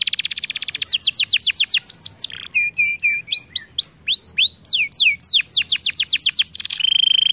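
A canary sings a rapid, varied song of descending whistled sweeps, steady trilled notes and buzzy rolls, delivered in quick bursts without pause.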